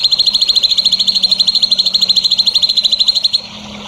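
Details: Continuous rapid trill of sharp high notes from a songbird on a training recording for young birds, holding steady for over three seconds before cutting off; a faint low hum lies underneath.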